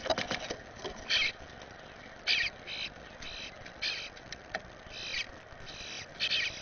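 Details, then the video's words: Juvenile Eastern bluebird out with its parents and three siblings in a yard, being fed; scattered rasping begging bursts come about once a second, with pauses between, against a hissy background. "Eastern Bluebirds - baby getting fed"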